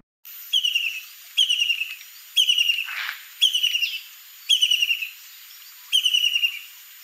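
A White-throated kingfisher gives loud, shrill, stuttering bursts that slide downward in pitch, repeated about once a second with a faint hiss between them.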